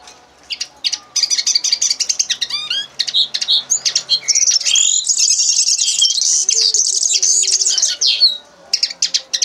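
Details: Common linnet in song, a long continuous stream of twittering notes mixing rapid clicks, nasal buzzes, quick descending slurs and sweet whistled phrases, rising to a dense warbling run in the middle before ending in scattered chirps.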